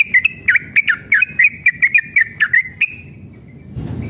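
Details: Yellow-vented bulbul song for stimulating caged birds to sing: about a dozen quick, liquid, warbled notes in under three seconds, then a fade into faint rustling noise.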